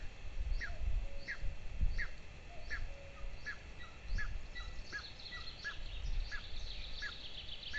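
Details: Two golden eagle chicks at their nest during breakfast, Lahemaa, northern Estonia, 22 June 2024, recorded by a nest camera near a military training field: thin, down-slurred piping calls repeated about every half second over a steady low rumble.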